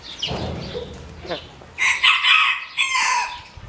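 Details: Black Orpington chickens: soft low clucking and a brief rasp first, then a loud, strained crow in several rising and falling segments lasting over a second, ending abruptly.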